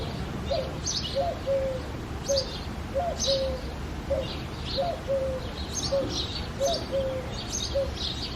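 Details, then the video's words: Eurasian collared dove song on an early foggy February morning: close, repeated coo-COOO-coo phrases at a steady pace of about one every two seconds, accompanied by thin high chirping of other birds. "Coo Dove - Dove Singing in the Foggy Morning"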